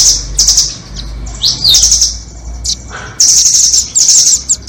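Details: Nuthatch trapping lure, doraemon versus red-billed types: bursts of very high, fluttering trills separated by short pauses, one rising squeaky slur, and scattered sharp single chips.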